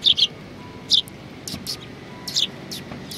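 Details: Sparrows at a Tenmangu shrine, recorded on 23 January 2019. Sharp, high chirps come in a quick double, then single notes and fainter answering chirps, irregularly spaced over quiet background noise.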